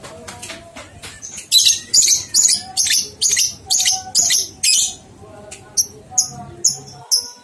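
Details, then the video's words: Lovebird ngekek song used to stimulate two-month-old young lovebirds to sing: a fast run of harsh, high chattering bursts about twice a second, then shorter spaced squeaky notes. "Masteran Lovebird Paud 123 Ketukan Terbukti Ampuh Merangsang balibu 2 bulan Ikut Ngekek"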